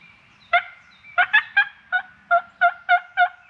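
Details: Turkey calling during the opening day of Tennessee's 2023 spring hunt: a loud opening note, a quick cluster of three, then a steady run of seven harmonic yelping notes spaced evenly across three and a half seconds, in a quiet background.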